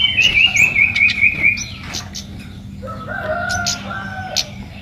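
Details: Red-whiskered bulbul in full song, seeking a rival: a rapid string of about seven bright trilled notes, then a pause and two drawn-out whistled phrases, over a steady low hum.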